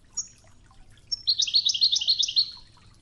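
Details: European goldfinch of the Wedani type singing a Toughza-style training song over murmuring river water: a thin high whistle, then a fast, dense run of bright chirping notes rattling on for over a second, with a soft low water rush beneath.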